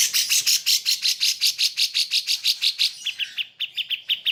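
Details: Grey-cheeked Bulbul (cucak jenggot) material for training pet birds, possibly including a Cream-vented Bulbul: loud, coarse, buzzy notes repeated steadily, shifting into quicker, clearer chipping notes.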